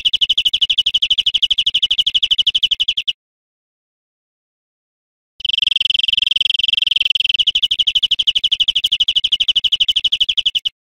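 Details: European greenfinch song played to teach cage birds: a three-second rapid high trill, a silent gap of about two seconds, then a longer trill lasting roughly five seconds.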